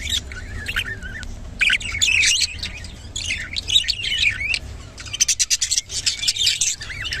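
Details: A rainbow budgerigar gives a run of scratchy warbled chirps and squawks, dense bursts broken by brief gaps, ending in rapid clicking chatter.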